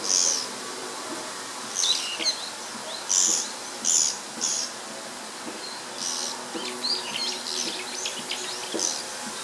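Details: Japanese pygmy woodpecker pair calling repeatedly while peering into a possible old nest and flying around it, recorded 19 May 2013; short, harsh, buzzy high-pitched calls come in quick bursts, several close together, over a steady background hiss.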